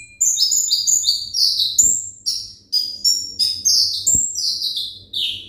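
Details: Olive-backed sunbird, a kept konin bird of the ringgit type, singing a fast run of high, thin whistled notes, each sliding briefly and repeated almost three times a second, with two soft clicks in the background.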